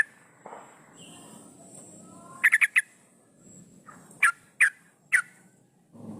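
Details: Yellow-vented bulbul female in breeding condition, calling to males as a lure: sparse, sharp, bright notes, first a quick cluster of four, then three well-spaced single notes, over a quiet low hum.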